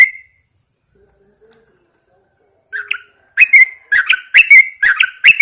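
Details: Caged Yellow-vented Bulbul taken outside at dawn for fresh morning air. A brief note, quiet stretch, then lively bubbling phrases of liquid, slurred chirps, fast and uneven, growing steadily louder.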